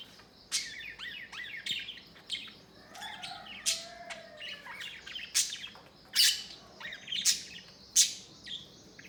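A budgerigar chatters in quick, squeaky chirps and warbles, broken by sharp clicking notes.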